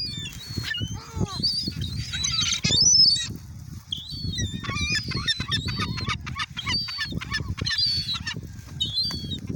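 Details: Many gulls at Oyster Bay being fed by people, a chorus of harsh overlapping squawks and yelping cries, high and ringing with downward slurs, nearly continuous over low rumbling background noise.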